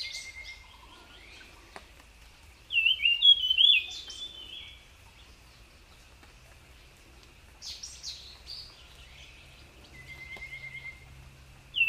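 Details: A wild jungle flycatcher gives short bursts of high, rapid warbled notes every few seconds over a thin, steady high whistle-like drone.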